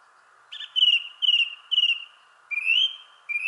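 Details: Thrush in a shrubbery tree giving clear whistled notes, three similar phrases about half a second apart, then a longer rising whistle, over a low background hum.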